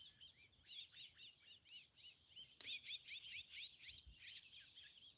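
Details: A big morning flock of more than 20 pied starlings near meerkats, its sounds sending meerkat babies below ground; a busy chatter of quick, arched chirping notes runs on, with one sharp click midway.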